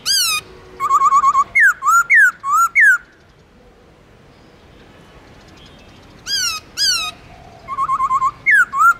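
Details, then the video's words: A black-throated laughingthrush gives forest-voice song with long slurs: rich whistles, a bouncing trill and swooping downslurred notes, a pause of about three seconds, then more whistles and another trill. "Khướu Bạc Má Hót Giọng Rừng LUYẾN DÀI HAY"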